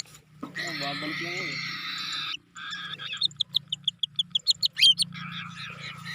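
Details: A cockatiel on its first free flight gives a long, harsh screech, then a quick run of about a dozen sharp, high chirps and a bright whistle, over a low steady hum.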